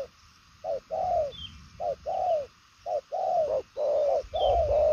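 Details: Purple-legged 'đồng son' spotted dove cooing at speed. Short notes alternate with long, slightly wavering falling coos in a steady run, with low rumbling noise late and faint chirps above.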